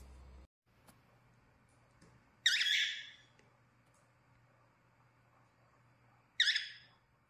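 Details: Pet cockatiel giving two harsh, screechy calls about four seconds apart, each a loud burst that fades quickly, with a quiet low hum behind.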